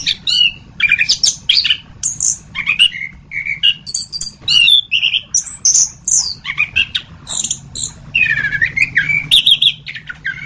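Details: Masteran recording of anis kembang, the orange-headed thrush: energetic, varied song of high whistles, buzzy notes and quick warbled phrases, repeated in rapid bursts with short gaps, over a soft low hum.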